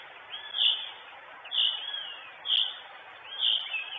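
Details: Nesting female northern goshawk, Estonia, June 2022, via live nest camera: four high calls roughly once a second, each with a slurred lead-in, above constant hiss.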